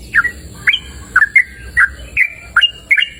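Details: A yellow-vented bulbul sings vigorously outdoors in open nature, giving a string of about ten quick, chirpy whistled notes that bend down then flick up, spaced evenly at about three per second.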